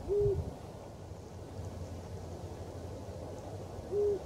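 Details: From a construction crane at the former Barkarby airfield, Sweden, a Eurasian eagle-owl hoots late on the evening of January 26. Two deep, level hoots about four seconds apart, with low background hum between them.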